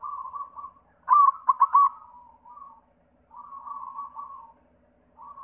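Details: White zebra dove (perkutut putih) song, a lure for local perkutut: soft rolling coos lead into one loud burst of quick pulsed notes, followed by gentler drawn-out cooing.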